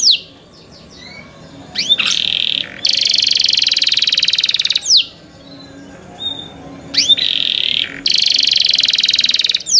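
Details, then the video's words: Young canaries kept by their owners singing: short sweeping notes, then dense buzzy rolls held for over a second, repeated after a quiet pause with another buzzy roll and quick upward slurs. "MEDIOUS SONG OF YOUNG CANARIES"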